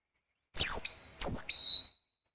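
Carolina Chickadee singing two clear whistled phrases, each a high pure note dropping to a lower one, like fee-bee, fee-bay, over about one and a half seconds.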